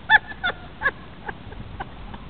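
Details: A pair of sandhill cranes dancing at Holiday Park, Palm Bay, Florida, give three loud, harsh, rolling calls in quick succession, each about half a second apart, followed by fainter, shorter calls.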